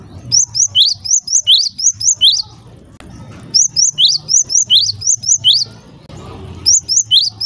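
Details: Java sparrow calls that stir other Java sparrows to call: three bursts of fast, high, piercing chirps, each note short and upslurred, separated by brief pauses, with a faint low hum underneath.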